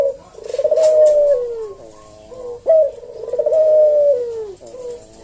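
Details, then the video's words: Caged collared dove known locally as puter jawa, manggung in relaxed slow senggang style: two long, steady coos that slide downward at the end, each preceded by a short abrupt note. "Burung puter jawa kuk deruk manggung merdu suara SLOW SENGGANG"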